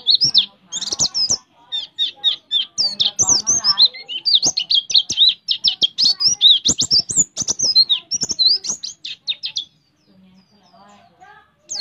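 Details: Oriental white-eye (pleci) in a fast 'roll tembak' rapid-fire song filled with ciblek (prinia) phrases: dense bursts of high, sharp chirps and down-slurred whistles, nearly continuous for ten seconds, then faint low chatter at the end.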